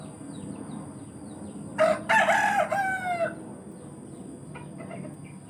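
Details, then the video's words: Rooster crowing in a village, one clear crow of a brief opening note and a long wavering harmonic phrase lasting about one and a half seconds, followed by faint distant chirps. "the sound of a rooster crowing in the village"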